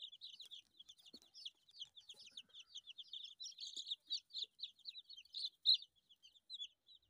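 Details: Day-old Australorp chicks giving rapid, high, thin peeps in a continuous overlapping chatter, several birds calling at once with uneven loudness throughout.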